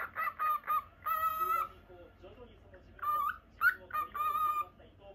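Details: A pet normal lutino cockatiel gives harmonic, nasal calls in short bursts, some held for about half a second, with pauses between groups and quiet indoor background.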